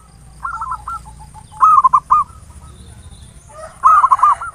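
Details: Local zebra dove singing the ngayer nulop type used to prompt other doves to sing: a soft trilled phrase, then two loud bursts of quick stuttered coos about two seconds apart, with low background rumble and a steady high whine.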